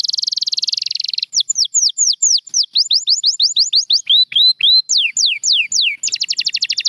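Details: Champion canary in song: a dense buzzy trill gives way to many quick descending whistled notes in steady series, some lower rising notes, then a rapid high rattle to close.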